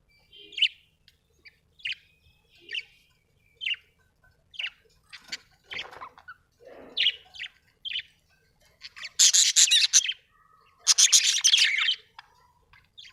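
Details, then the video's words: Budgerigar chirps, short clipped notes repeated about every second, then busier chatter and two loud, harsh, broadband squawking bursts near the end. "budgie chirping sound"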